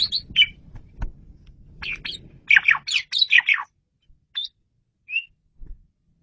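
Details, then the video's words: Energetic Asian pied starling training song: varied harsh chatter and bright chirps in a rapid run, then sparse single whistled notes, with low rumbling background at the start. "KICAU SUPER GACOR!!! JAGO BANGET MASTERAN JALAK SUREN INI"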